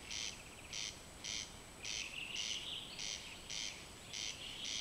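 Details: A corn crake, unseen, rasps its dry, insect-like 'crex crex' at night, about two harsh notes per second, while a thinner, high warbling bird sings faintly in the background.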